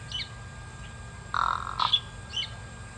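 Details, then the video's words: A pied crow at Kwa Maritane on 14 October 2021 gives two short, harsh, rasping caws in quick succession, with faint high chirps from other birds before and after. "Pied Crow calls"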